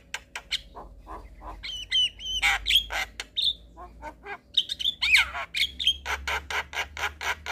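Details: Javan myna song recorded in the evening for young birds to learn: sparse clicks building into slurred whistles and harsh squawks, ending in a fast string of grating bursts nearly four per second, over a low hum.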